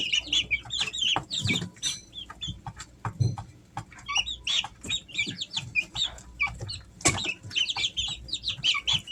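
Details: Peeping from Easter Egger chicks aged three weeks, kept as pets at home in summer: shrill chirps, some sliding up and down, tumbling over one another, with sharp clicks and scuffling in between.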